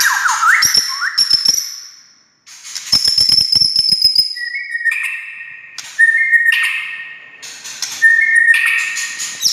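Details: White-rumped shama song meant to goad quiet shamas into singing: bursts of clicks and high thin whistles, then a series of flat whistled notes rising in steps, repeated several times.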